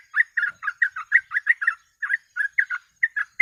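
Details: Sooty-headed bulbul pouring out 'gacor ropel' song as a lure recording: crisp, chirpy, downslurred notes in rapid succession, slightly uneven in spacing, ending on a louder note.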